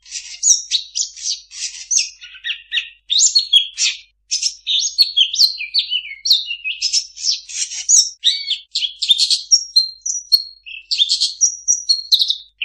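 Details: Long-tailed shrike delivering a packed medley of mimicked birdsong, fast chirps, slurred whistles and buzzy trills tumbling together continuously.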